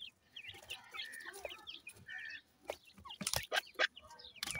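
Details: Young grey francolins give a scatter of high, slurred peeps and short whistled notes, several at once, broken by sharp clicking and rattling noises in the second half.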